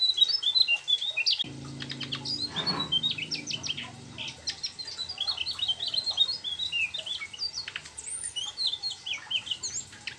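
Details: Mugimaki flycatcher singing busily, rolling through learned trucuk phrases: scattered high whistles, chirps and sharp ticks over a low steady hum in the early seconds.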